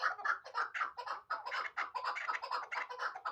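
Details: A young hybrid chukar, hatched the previous year, repeats hoarse clucking notes in quick succession, roughly two per second. The calls rise and fall in loudness across a short burst.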